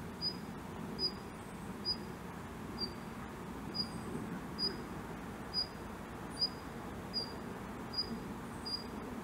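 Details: A tame male Daurian redstart, regularly seen at the same spot, gives thin, high, slightly falling whistled notes, one roughly every second, over a low background rumble.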